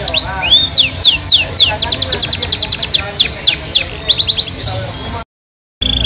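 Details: Yorkshire canary in an extended, richly varied song: opening slurred whistles, then quick repeated downslurred notes and sharp chips, ending abruptly with a brief silence and a final note.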